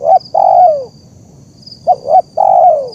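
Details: Zebra dove, known locally as terkukur, cooing to teach young birds or draw wild ones: a long coo drooping at its end, then quick double notes and another long falling coo, with faint high insect tones.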